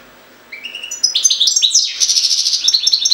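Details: Goldfinch, Jagodina, launching into a quick song: soft rising whistles build into a dense, bubbling chatter of high twittering and buzzy notes that continues steadily to the end.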